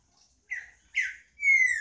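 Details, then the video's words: Green-winged saltator singing: two short buzzy notes a half second apart, then a clear, slightly falling whistled note with bright overtones, in a quiet setting. "Trinca ferro cantando"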